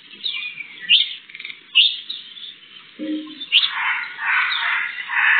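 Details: Sparrows captured on a CCTV camera for World Sparrow Day. Scattered high chirps build into a busier, louder burst of chattering tweets, with a brief lower sound midway.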